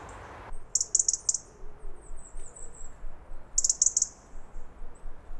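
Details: Woodland birds at a forest school giving alarm calls, uncomfortable at the moment: very high, sharp ticking notes in rapid bursts of four, one early and another about three seconds later, with faint thin calls between.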